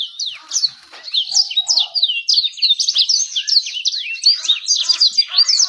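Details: Bird song used as a lure to attract females and trigger singing: steady, rapid high twitters and slurred whistled notes, closely packed, with soft lower clicks beneath.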